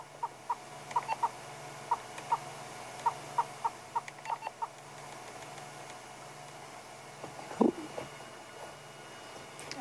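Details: At sunrise on 14 February 2016 in Sabi Sand, on a hot morning, a Southern Yellow-billed Hornbill, panting with gular flutter, gives a quick run of about fourteen hollow clucking notes in under five seconds, then one louder note, over a low hum.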